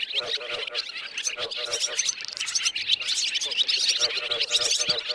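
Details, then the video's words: Swiftlet roosting call used for netting birds: many overlapping high twittering chirps, dense and unbroken, with trains of quick clicks beneath. "tiếng én ngủ"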